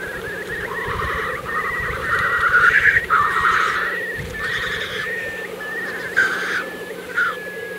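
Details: A black grouse lek in April 2024, Kologriv Forest, Russia: constant low bubbling beneath loud wavering wailing notes and rushing hisses that come and go.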